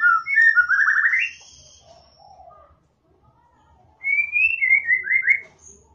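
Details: White-rumped shama song for prompting a shama that rarely sings: a rising slurred whistle phrase, a quiet pause, then a second phrase of clear descending whistled notes.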